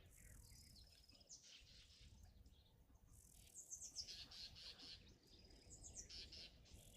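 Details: Several Southern Black Tits, small sparrow-sized black birds with a white wing streak, give quiet, high, chattering bursts of rapid, slightly descending notes every couple of seconds over a low background rumble during an April safari.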